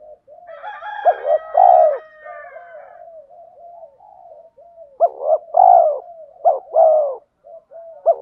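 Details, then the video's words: Male and female spotted dove decoys give fighting coos meant to draw wild birds. Several callers overlap in a muffled run of cooing, then clear phrases follow: quick doubled notes and long, husky coos repeated about every second. "Tiếng chim cu mồi thúc đấu/ chim cu gáy kích bổi nhanh nổi gù đấu lại/ chim cu cườm thúc rút bổi"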